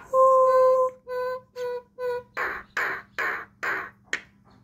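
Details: Two pet mynas interact: one long, clear, steady whistle, then three shorter whistles of the same pitch, then four harsh, rasping squawks in quick succession.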